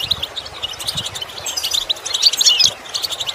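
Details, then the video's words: Goldfinch song for teaching a goldfinch to imitate sounds: steady high chattering twitter, growing into a louder burst of tinkling trills near the end, with faint low rumbles underneath. "Training The Goldfinch To imitate Sounds Useful Lessons to improve Song"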